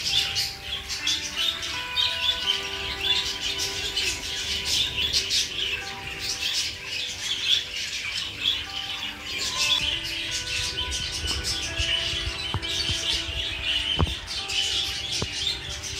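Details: Budgerigars at feeding time chatter in a busy flock, with constant high warbling chirps and squawks over soft background music.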